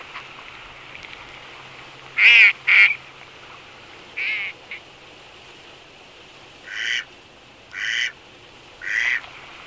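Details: Eurasian teal wintering in Absheron National Park, Azerbaijan, where the females keep nipping each other while the males stay calm, give six short, harsh, nasal quacks, some doubled, a second or two apart over faint hiss.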